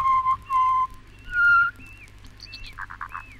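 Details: Pied butcherbird singing in Australia, from a 1968 record of wildlife calls. Loud, clear, sustained whistles are followed by softer, higher slurred notes and a short burst of quick, rattling pulses.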